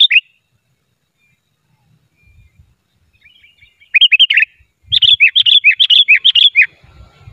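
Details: Sooty-headed bulbul (kutilang) trapping lure, unedited and lively: after a near-silent pause with faint thuds, a short chirpy phrase, then a run of about ten rapid bright slurred whistles, with low knocking sounds beneath.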